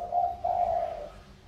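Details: A tame two-year-old decoy spotted dove of the Sóc Trăng strain, a field-bred bird now calling eagerly: two low, hoarse coos, a short note and then a longer drawn-out one, steady in pitch.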